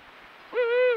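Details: Eurasian eagle-owl calling on a breeding-season night with a full moon, amid courtship and copulation. A higher, rich, drawn-out note begins abruptly and holds fairly level for about half a second.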